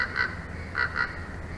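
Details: Bald eagle at the nest of a mated pair in Big Bear Valley, caught by a live nest camera on 22 May 2024 at 22:17; four short, clear notes in two quick pairs above a steady low rumbling background.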